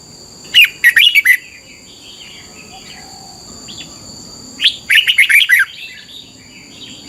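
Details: Thai red-whiskered bulbul singing for young birds to copy: a chattering burst of whistled notes, a pause with a few soft notes, then a second longer burst of rapid slurred whistles, over a constant thin high tone.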